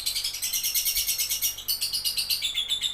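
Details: Lovebird singing in a rapid, continuous stream of high, harsh chirps and squeaky twitters, pulsing several times a second, with short pauses and shifts in tone toward the end.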